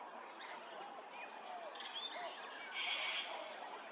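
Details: Grey-crowned babblers at Hervey Bay, Queensland, give a busy mix of short nasal whistles, slurred swoops and a harsh buzzy burst, with several notes overlapping as from a chattering group.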